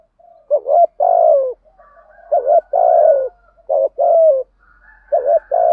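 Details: Spotted dove cooing, a lure voice used to provoke other doves into cooing: deep, hollow coos in paired phrases, a short note followed by a longer drawn-out one, repeated about every one and a half seconds.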